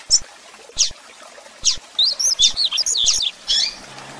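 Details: Rusty-collared seedeater, a 'grego' style singer used as a tutor to train young birds, giving sharp high chips then a fast run of rising and falling whistled notes near the end.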